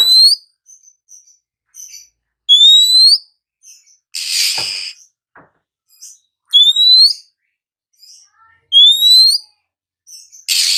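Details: Morning Oriental magpie-robin giving repeated rising whistled notes roughly every two seconds, mixed with soft chips and two harsh rasping bursts.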